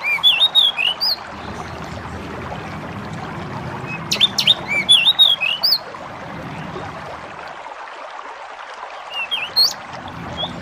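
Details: Bar-winged prinia (Prinia familiaris) sings amid nature sounds: three bursts of rapid, high, squeaky chirps, each about a second long, over a steady low background hiss.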